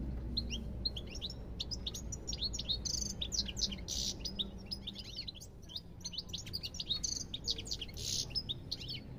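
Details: Sustained European goldfinch song: dense, fast twittering of liquid chirps and trills with occasional hissing, buzzy notes woven in, continuing without pause.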